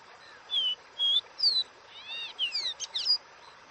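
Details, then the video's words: Caboclinho delivering its Dó Ré Mi song, opening with three whistled notes stepping upward, then a fast tumbling series of buzzy, sweeping, descending and rising notes before falling silent. "CANTO DO CABOCLINHO Dó Ré Mi"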